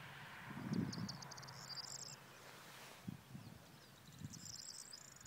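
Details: Corn bunting singing at Svatý Mikuláš, Kutná Hora district, on 17 April 2016: two high, jangling, accelerating trills, each about a second long, separated by a pause, with wind noise and low rumbles.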